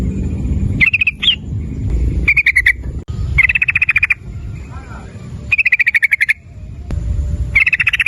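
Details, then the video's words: Lure song of a sooty-headed bulbul meant to set other bulbuls calling: several fast, rattling bursts of clear notes, one with a brief rising flourish, broken by quiet gaps, over low background noise. "Suara Burung Trucukan PANCINGAN Trucukan Agar Bunyi Ropel nguklik dengan Trucukan Gacor ini"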